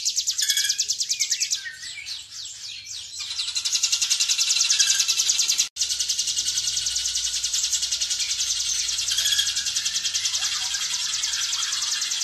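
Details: Hill prinia song in the fast, dense 'ngebren' style, used as tutor song for caged birds. Rapid high buzzy trills run almost without pause, with a short burst of separate notes near the start and one brief break midway.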